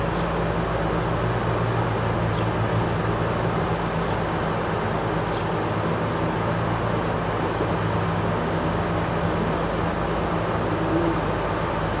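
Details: Steady low rumble and hum like an engine or machinery, with broadband noise and no animal calls, inside a turkey barn at a farm animal sanctuary in Upstate New York.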